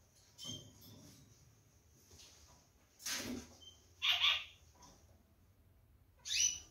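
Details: A caged pair of Gouldian finches pecking at jute placed in their nest that morning; a few scattered short chirps, one clearer tonal call in the middle, with soft rustling and pecking noises between quiet gaps.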